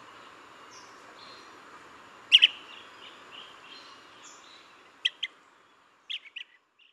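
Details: Blue-tailed bee-eater giving short, bright, chirping calls in quick pairs. Three doublets come a few seconds apart, with a faint softer note near the end, over a low, steady background hiss.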